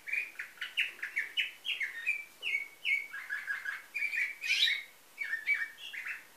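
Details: Nightingale-type song from a Bulgarian canary, Varna breeder, 2013: continuous fast sequence of chirped and slurred whistled notes, some rising and some falling, with brief rolling trills and no pauses, heard against quiet background.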